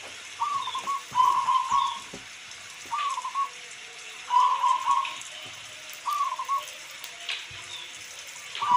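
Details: Zebra dove, local perkutut, cooing against a rain background: alternating short rising notes and longer rolling trilled coos, phrases recurring roughly every one and a half seconds.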